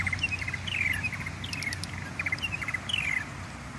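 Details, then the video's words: Purple martins nesting in man-made gourds in a garden, 21 May 2017; they begin singing around 4 a.m.: rich gurgling, chirping phrases with descending notes, repeated every second or so over a steady low rumble. "there are purple martins and they live inside the gourds we've made for them they"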